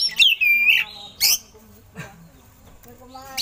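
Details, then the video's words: Oriental magpie-robin singing with eagle-call imitations, as a training recording for other birds: a clear whistle sliding downward, then a harsh burst and quieter scattered notes. "Suara Burung Kacer Isian Elang"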